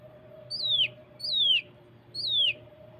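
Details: A lesser green leafbird training and lure recording: sharp, high whistles sweeping steeply downward, three in quick succession under a second apart, over a faint steady hum.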